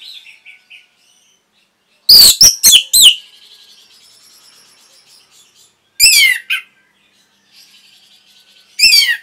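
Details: Orange-headed thrush training song for caged birds, made of loud clusters of sharp, downward-sweeping whistles separated by long pauses with faint thin twittering between them.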